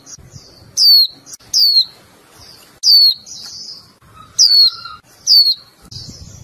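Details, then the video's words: Female Japanese white-eye kept as a cage bird, calling to the male: repeated sharp descending chirps roughly every second, buzzy notes between, a short lower tone, and faint low rumble at the close. "Vành khuyên mái chíu liên tục kích bổi líu ngay, gọi trống líu căng đầu vụ."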